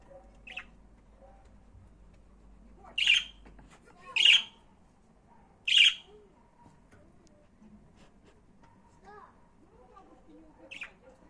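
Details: Budgerigar giving three loud, harsh, buzzy squawks close together in the middle, with a fainter chirp near the start and another near the end, over a quiet room background.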